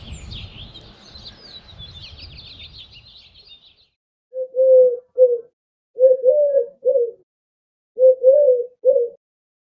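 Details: In spring in the wilds of Montana, a Mourning Dove gives soft, low, hooting coos in three slow phrases, each a longer note followed by a short one, as fainter twittering morning birds fade away just beforehand.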